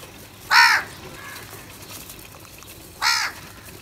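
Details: Crows calling for food: two loud, coarse caws spaced about two and a half seconds apart, each brief and grating, with a quiet background between.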